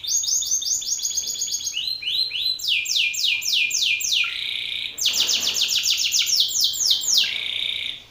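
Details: Male Belgian canary calling an opponent with powerful song: varied rolling tours of rapid falling whistled notes, pitch stepping up and down between phrases, one short pause near five seconds before the trills resume.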